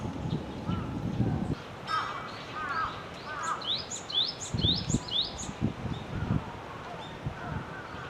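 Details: Wild Java sparrow: a burst of quick high chirps in the middle, preceded by lower slurred calls from another bird, with low thumping noise throughout.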